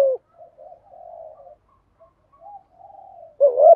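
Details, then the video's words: Caged decoy spotted dove of the 'giọng thổ' voice type. A loud coo opens the recording, then quiet wavering murmurs, and finally a strong rising-then-steady coo near the end. "chim cu moi thuc gu bài bản"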